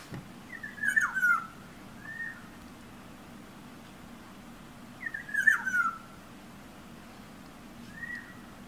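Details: An oriole perched outside a bedroom window, singing and now and then tapping on the glass: short, fluid whistled phrases that twist up and down, two phrases about four seconds apart, each followed by a softer, shorter whistle, with faint clicks.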